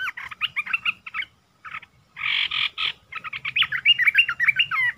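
Red-eyed bulbul giving quick, bubbly, chattering phrases of rising and falling notes, broken by a short harsher burst midway.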